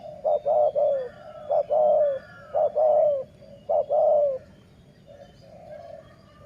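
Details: Dove of the sai muang (city line) style used in decoy trapping, giving three phrases, each of two short clipped notes followed by a longer descending rolling coo, with a faint softer coo trailing at the end.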